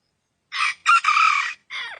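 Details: Wild red junglefowl crowing: a loud, harsh, harmonic crow broken into three bursts over two seconds, with a short first note, a long strained middle phrase and a falling tail, against silence.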